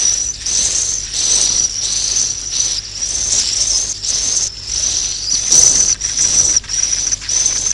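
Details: Swiftlets giving a roosting call meant to draw birds in to roost: a continuous high, buzzy, ringing band broken by brief pauses, with rapid twittering chirps throughout.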